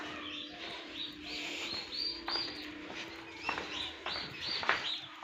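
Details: Turkey chicks hatching in an incubator on an Assam turkey farm: fainter, crowded high peeping notes, some up-slurred, over a constant mechanical drone.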